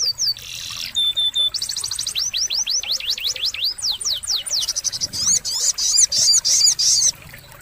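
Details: Sogon song used as a tutor recording to get silent caged birds to sing: a high, varied run of whistled notes, sweeping slurs and rapid rising-falling strokes, with bursts of fast buzzy trills.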